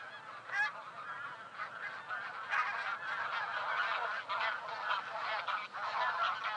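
A flock of taiga bean geese gives a steady chorus of overlapping nasal, reedy honks, rising and falling without pause.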